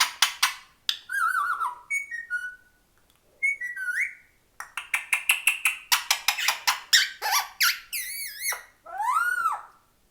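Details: Indian ringneck parakeets roaming free in a house: a series of shrill squawks, rapid chattering notes and whistled rising and wavering calls, with short gaps between bursts.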